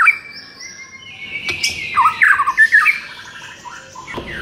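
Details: White-rumped shama song in a training recording meant to rouse a shama that sings too little: a long high whistle, then a burst of harsh squawky and chattering notes mid-clip, ending in softer scattered whistles.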